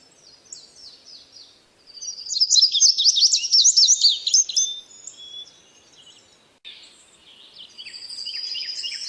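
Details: Busy, high twittering bird song: soft chirps at first, then a loud tumbling jumble of rapid notes, a lull, and a steady rising twitter at the end.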